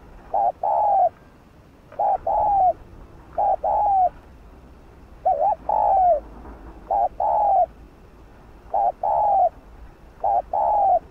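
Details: Spotted dove lure bird delivering a long run of 'thúc gù' cooing meant to set other doves cooing quickly; about eight phrases, each a brief wavy note then a longer mellow coo dropping slightly in pitch, with low hiss behind.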